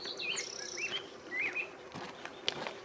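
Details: A Black-headed Grosbeak singing from a branch at Santa Fe Canyon Preserve, New Mexico, on 14 June 2025, gives a brief run of rich, slurred rising-falling whistles, then stops as hikers approach; soft clicks and a faint high hum follow.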